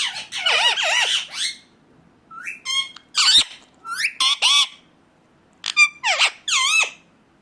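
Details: Indian ringneck parakeet screeching: a long opening volley of grating calls, a lull, then scattered sharp squawks in twos and threes.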